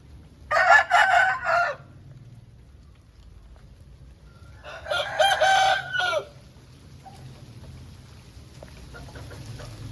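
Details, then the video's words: Aseel rooster crowing after rain, two loud harsh crows about four seconds apart, each roughly one second long with a falling end, over a quiet low background hum. "Aseel Bird Sound Effect"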